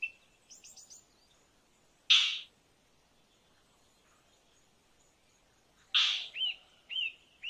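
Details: Two loud, rough calls of an Indian roller about four seconds apart over a quiet background, followed by a few short, curved whistled notes.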